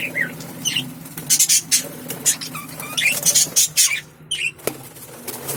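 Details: Breeding lovebirds kept with budgies chatter with rapid, sharp, high chirps and squeaks in quick bursts.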